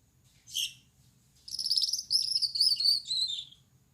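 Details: Night singing of a male Gouldian finch, yellow on the back, red on the head, white on the chest: one short high chirp, a pause, then about two seconds of thin buzzy pulsing notes, gently falling.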